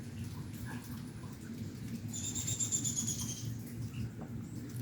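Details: A small bird, heard from indoors near a kitchen window while it was raining, gives one thin, high, slightly wavering call lasting over a second, against a steady low rumble of rain and indoor noise.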